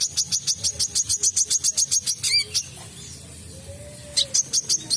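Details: An olive-backed sunbird, recorded as a lure to draw other birds of its kind, sings a fast run of thin, very high, sharp notes, about three or four a second, then pauses before another short burst.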